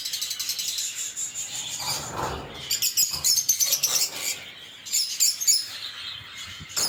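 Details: Lovebird chirping and singing: high squeaky chirps in quick bursts, one softer lower rasping passage early on, then rapid shrill twitters.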